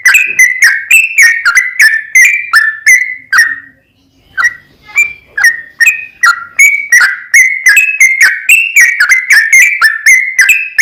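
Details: Sooty-headed bulbul singing 'ropel panjang' style to stir another bird to sing: quick run of whistled, slightly rising and falling notes with crisp clicks, a pause near four seconds, then the rapid phrases resume.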